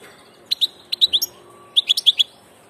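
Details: European goldfinch of the passage, giving two clear bursts of rapid, ringing high chirps, each of about five notes, with a faint thin whistle between them.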